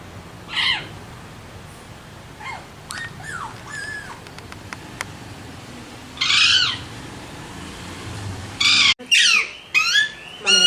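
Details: Alexandrine parakeets giving harsh, loud, downward-sliding squawks, scattered at first, then bursting in a rapid cluster near the end, with quieter chatter and clicks between the calls.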